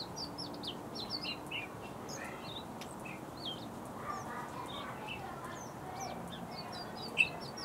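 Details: Bluethroat singing a varied, busy stream of short high chirps, slurred whistles and twittering notes, delivered almost continuously over steady background hiss.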